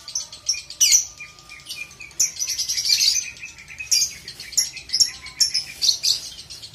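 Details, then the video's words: Young lovebird training audio in the ngekek style: long, shrill, continuous chattering of high, harsh twittering notes, rising in bursts and running without pause for several seconds. "ngekek lovebird"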